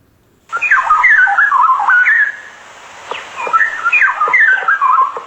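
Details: Straw-headed bulbul in Singapore, its last stronghold, as it is endangered in its homeland, sings loud, rich, bubbling whistled phrases that tumble up and down and carry for kilometres, in two bursts with a short gap between.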